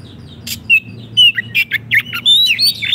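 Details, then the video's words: Actively singing 'gacor' Oriental magpie-robin, kept as a master recording for training caged kacer: clear whistled notes near the top of the range, quick slurred phrases and crisp ticking clicks, with a faint low hum beneath. "Terapi Kicauan Kacer Gacor pas untuk masteran Kacer macet bunyi"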